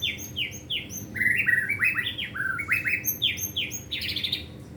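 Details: Caged White-rumped shama practising gacor singing, unloading its learned material: repeated high downward-slurred whistles, then a rapid cascade of stepped notes, ending in louder buzzy high phrases.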